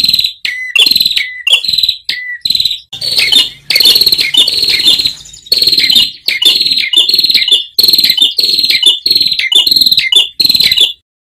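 Ashy tailorbird giving loud, high, sharp chattering phrases in rapid bursts about twice a second, with a gentle trickle of running water underneath.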